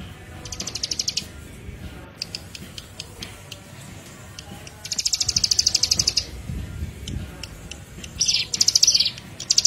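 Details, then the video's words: Bar-winged Prinia (ciblek) master song for luring birds: repeated high pulsed trills in three bursts of about a second each, with sharp clicks between and faint low background noise. "PANCINGAN MASTERAN PIKAT SUARA CIBLEK PRENJAK KIPAS"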